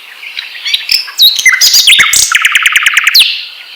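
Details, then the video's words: Asian brown flycatcher singing to provoke other birds into song: a busy, varied twitter of high squeaky notes, short slurs and a rapid run of clipped chirps, ending in a sharp upward note. "SUARA BURUNG SIKATAN LONDO ,MEMANCING SEMUA BURUNG GACOR"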